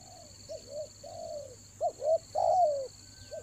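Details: Lure spotted dove from Toba, rainy-season trapping: soft double coos build to two sharp stressed notes and a long drawn-out descending coo, with a constant high buzzing drone behind.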